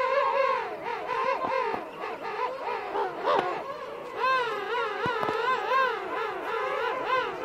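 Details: Close-up King penguin adults calling amid a colony of adults and chicks, Right Whale Bay; dense chorus of undulating, quavering trumpeting calls overlapping continuously, with a few sharp clicks.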